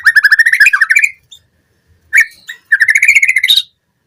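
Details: Captive white-rumped shama used as a lure for training caged birds: rapid runs of rich, warbled notes near the middle of its range, rising at the end of each phrase, broken by short pauses and a brief slurred whistle.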